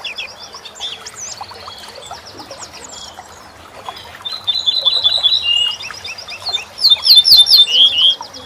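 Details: A corn bunting sings in a recording meant to teach songbirds. Quiet twittering gives way to rapid series of repeated high notes, then two loud, bright, jangling phrases toward the end.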